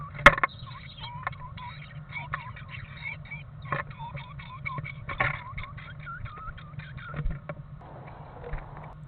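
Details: Two pairs of great tits trade contact calls at a nest box in nesting season, a busy run of thin, chattering chirps and curved twittering notes, several each second, over a low hum and a few knocks.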